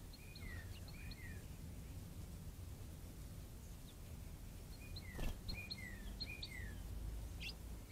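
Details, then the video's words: House finches at a bird bath on a March 2022 morning give two quick bursts of bright, down-slurred chirps about five seconds apart, over a steady low rumble of background noise. "House finches"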